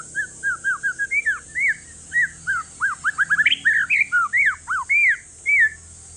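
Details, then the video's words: Male white-rumped shama, a year old, of Aceh forest lineage, kept caged to coax quiet shamas into singing: steady stream of varied whistled, arched and down-slurred notes, some rapid clusters, loud and close. "Si paling ribut murai trah hutan aceh COCOK UNTUK PANCINGAN"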